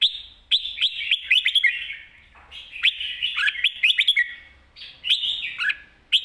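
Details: Red-whiskered bulbul singing the mae bot sap krajai song style: long sweeping runs of bright, slurred whistles, some notes dipping lower, broken by two brief pauses.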